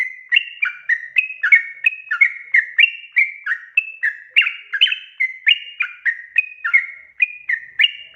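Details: Yellow-vented bulbul chattering song, an energetic recording used to lure untrained trucuk birds into song; a long, unbroken stream of rich, bubbling whistled phrases that alternate high and low, running steadily for eight seconds.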